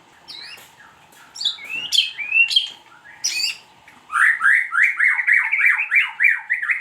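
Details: Pancingan lure song from a white-rumped shama: a few sharp, high rising calls, then a rapid rhythmic run of repeated sliding whistles, about four per second, over a faint steady hum.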